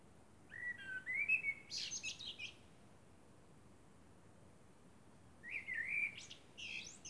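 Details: Blackbird song under a moonlit night sky, two phrases several seconds apart, each a mellow, rich whistled warble that finishes in a burst of high, scratchy twittering, with a quiet pause between them.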